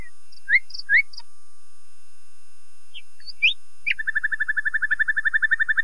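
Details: Common nightingale song: a few scattered rising whistles and a pause, then a fast, even, rattling trill of repeated notes running to the end.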